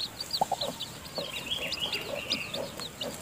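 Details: Hen in her nest feeding chicks that are too weak to leave yet. A few low clucks come early, then the chicks keep up a run of high, slurred cheeps.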